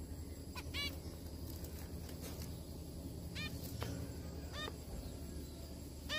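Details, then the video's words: Several zebra finches calling as they eat together: five brief, nasal, toy-trumpet-like beeps with bright stacked overtones, irregularly spaced, over a constant low-pitched background hum. "zebra finch Eat and sing together : zebra finch sound."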